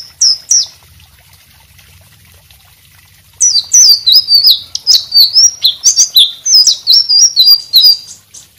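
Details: White-rumped shama singing to tutor other birds: after three seconds of near silence, a rapid run of loud, high whistled and slurred notes repeated about three per second.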